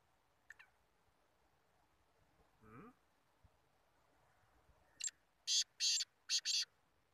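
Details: Competing Black Francolins (kala teetar muqabala). After a quiet stretch with faint background rustle and a brief low murmur, a rasping phrase of five harsh, scratchy notes arrives in quick bursts near the end.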